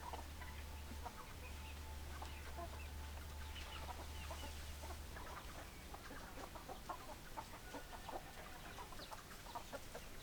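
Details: Chickens giving soft, rapid clucks scattered across the whole stretch, with a steady low drone that fades halfway through and light background noise.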